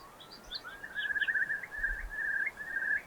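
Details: Eurasian curlew (Numenius arquata) on a hill walk in Highland Perthshire, Scotland, gives its bubbling call: a slow rising whistle breaking into a fast rolling trill, with faint higher chirps from another bird behind.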